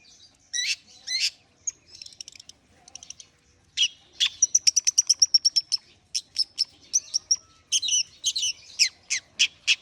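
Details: Long-tailed shrike in warm-up singing: scattered harsh notes and soft twitters, then a fast run of about a dozen rapid, evenly repeated ticks, followed by more mixed sharp chips and buzzy strokes.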